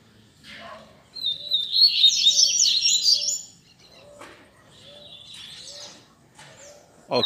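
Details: Caged Double-collared Seedeater of the Altas Horas song type, praised for strong fibre and singing much, delivers a dense high twittering burst, then quieter repeated phrases over soft low chirps repeated regularly, ending with a sharp noise.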